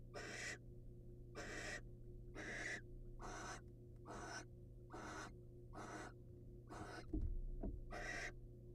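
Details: Male barn owl presenting food to his female, wild, recorded by birdcam. There is a long run of nine or ten harsh hissing screeches, spaced a little under a second apart, with a couple of faint knocks near the end and a low hum throughout.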